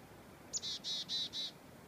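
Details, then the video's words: A black-capped chickadee, heard as a sign of spring after a long winter, gives one thin high note, then four quick, harsh, buzzy 'dee' notes, the whole call lasting about a second against a quiet background. "Black Capped Chickadee"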